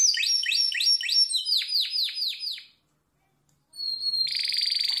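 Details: Harz Roller canary, training song: quick high swept rolls slowing into separate descending notes, a second of silence, then a faint whistle and a dense buzzy roll.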